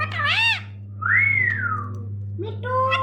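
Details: A pet talking rose-ringed parakeet named Mithu gives a wavering whistled phrase, a long rising-then-falling whistle, and a short nasal, speech-like note, over a steady low hum.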